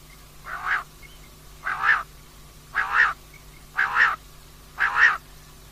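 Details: Female common quail, recorded for use at night, gives five evenly spaced nasal notes, one about every second, each a short rough burst of similar length and pitch, over a low constant hum.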